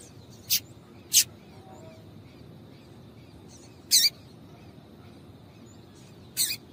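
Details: Female double-collared seedeater calling to excite a male: four brief, piercing high chips, two close together early and two later, separated by quiet hiss.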